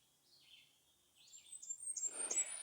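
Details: A loud Black-throated Green Warbler sings on a Monday morning in late May in a park near Winnipeg, thin buzzy high notes slurring down then climbing higher, with a brief rush of rustling near the end.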